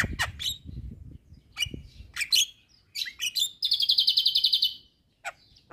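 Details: Asian pied starling (jalak kebo) singing hard at neighbouring starlings: scattered scratchy calls and clicks, then a fast, even rattle of about a dozen rapid buzzy notes, ending with a single sharp note.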